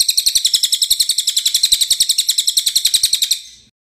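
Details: Cililin song, described as lively and clear: a fast, steady series of sharp high chirps about four per second for over three seconds, then fading out, with no other sounds.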